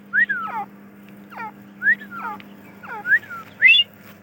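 A grey francolin repeats a loud phrase about every 1.2 seconds: a rising whistle, then a quick run of falling notes, over a faint low hum.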